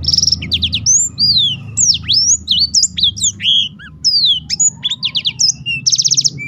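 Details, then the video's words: Black-throated canary singing actively, kept as a tutor to give other birds more song variety. A dense, fast stream of high whistled slurs, sweeping notes and rapid trills, with buzzy rattling bursts at the start and end, over a low background hum. "burung blackthrout lain pun ikut tergoda berbunyi"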